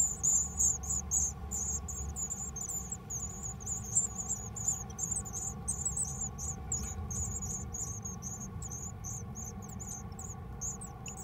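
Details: Japanese tit chicks in a nest in a home mailbox, 13 May 2020, give a steady stream of very high, thin, hissing-buzzy notes, several per second, over a low continuous hum.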